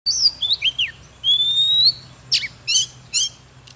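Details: White-rumped shama, a mature wild-caught bird, singing while displaying: high sweet whistles, a long clear rising whistled note, then sharp ringing chips high in pitch, against a faint low hum.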